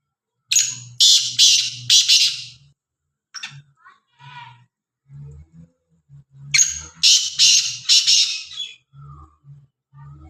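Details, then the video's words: Black francolin from Khushab giving its loud, harsh grating call, a phrase of four or five rasping bursts over about two seconds, repeated after a pause, with soft low clucks between. "kala teeter ki awaz"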